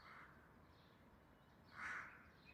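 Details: Crow calling loudly: two harsh, hoarse caws, a softer one at the start and a louder, longer one about 1.7 seconds later, over faint steady background noise.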